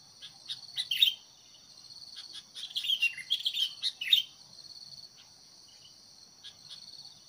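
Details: Sooty-headed bulbul used as a decoy to draw wild birds into fights, repeating short clusters of sharp, excited chirps over about four seconds, with a steady insect drone in the background.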